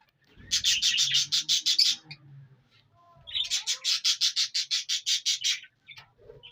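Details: Indian ringneck parrot in Punjab, Pakistan, giving two bursts of loud, harsh, rapidly repeated screeching notes, about six per second, separated by a short pause with faint low rustling.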